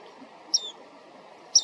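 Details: Japanese white-eye, wild, filmed on a walk with a compact camera: two brief, piercing high chirps dropping in pitch, one second apart, with quiet background.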